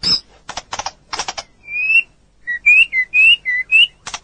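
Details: White-rumped shama song from a long training recording for other birds: sharp click bursts at first, then a series of short clear rising whistles given about twice a second.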